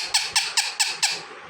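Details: Parrot kept as a pet repeats five short, harsh squawks at an even pace about every quarter second, each dropping slightly in pitch, in a quiet room.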